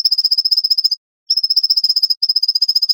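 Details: White-breasted nuthatch song, edited into a dense rapid sequence: fast runs of identical sharp, high, nasal notes, about three per second or more, broken by one short pause.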